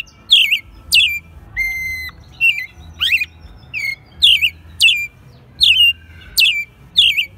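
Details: Pet American robin in Mexico City, March 2020, singing strongly as a second-year bird; regular loud chirruping whistles with high squeaks, one flat sustained whistle midway, over a soft low hum.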